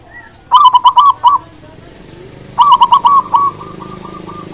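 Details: Zebra dove, a local Indonesian perkutut with a big, lively voice, used to stimulate silent doves to sing: two bursts of clicky, rolling coos near one kilohertz, the second ending in a fading train of short repeated notes.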